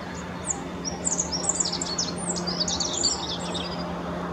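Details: A rock bunting on the Apolloweg at Valwig in the Moselle valley, Germany, sings a high, thin, hurried jingle of sharp zi notes lasting several seconds, over a faint steady low hum.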